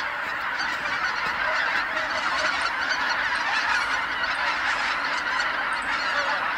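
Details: Geese flying back to Kabukuri-numa marsh as night falls, tens of thousands calling at once: an unbroken wall of clamouring honks, many birds overlapping with no gaps, at an even loudness throughout.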